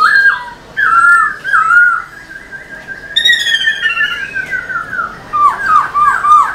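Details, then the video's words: Caged black-throated laughingthrush song used to excite other caged birds: varied whistled phrases, a long sustained level whistle with a buzzy edge, then a quick run of dipping notes. "Khướu bạc má HÓT MÚA ĐUÔI cực sung"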